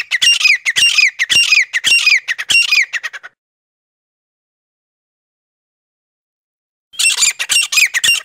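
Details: Lure call of the forest quail, used to draw in wild birds: rapid runs of rasping, ringing squawks, a burst of several seconds, then a long silence before the harsh series starts again.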